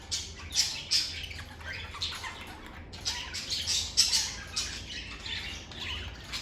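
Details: Lovebirds produce a steady stream of shrill, grating squawks and twitters, with several birds apparently calling at once and no quiet break.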